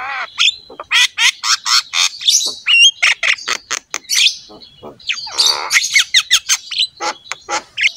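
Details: Energetic Javan myna song meant to spur other mynas into singing, a fast run of rasping chattering notes broken by thin whistled upslurs and a scratchy buzzy trill in the middle.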